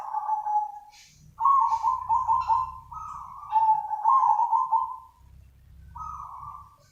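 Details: Perkutut or zebra dove call meant for luring other doves: a near-continuous run of buzzy, tremulous coos held at a similar pitch, a short break, then one more phrase, over a soft low rumble.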